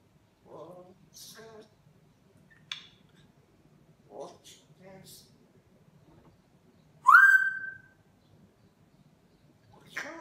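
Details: Hand-reared grey parrot speaking Spanish indoors: soft, speech-like syllables in short spaced bursts, then a loud, clear whistle sweeping upward and levelling off, followed by another short utterance.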